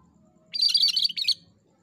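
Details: A single energetic cucak kerinci phrase: a tight, rapid jumble of shrill, scratchy notes lasting under a second over a low background hum.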